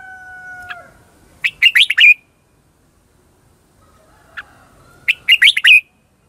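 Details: Singing red-whiskered bulbul, a lure bird, delivers "ché chéc" contest phrases to attract wild birds; two phrases, each a lone note and then a rapid rising-falling run of bright chirps, with quiet gaps between.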